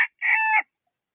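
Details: Closing part of a rooster's crow: a brief harsh cut-off note, then one long sustained note that holds level and drops at its finish.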